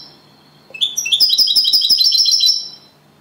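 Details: Copia Malaga style song from a European goldfinch that took second place as a singing champion: a brief faint note, then a quick, jingling trill of high, metallic repeated notes for nearly two seconds.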